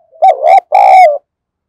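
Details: Decoy spotted dove, thổ sấm voice style, calling to attract wild doves: a quiet opening note, then two loud, resonant coos in quick succession, the last drawn out and sliding down.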